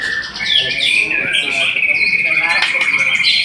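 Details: White-rumped shama holding a long, steady, piping whistle, with brighter chirps and trills layered over it throughout.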